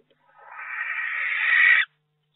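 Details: Barn owl in a nest box in May, with a second egg just hatched: a single harsh, hissing screech about one and a half seconds long, swelling steadily louder before cutting off abruptly.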